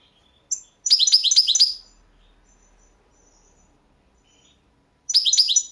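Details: Balkan goldfinch singing in a 2022 World Championship in Goldfinch Song competition recording: a lone sharp note, then a fast tinkling twittered phrase of close high notes, quiet for about three seconds, then another burst.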